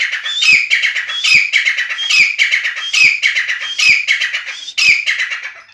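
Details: Sindhi grey francolin offered for sale, a 'chakri wala' calling bird said to give 270 calls a minute: loud, harsh, squeaky phrases with clicking notes, repeated in bursts about every second, no other sounds.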